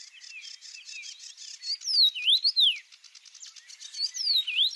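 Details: Red-headed bird singing in the wild: bright, clear whistled notes that sweep steeply up and down, some in quick two-note slurs, over a faint steady high buzz, with loud bursts near the middle and end.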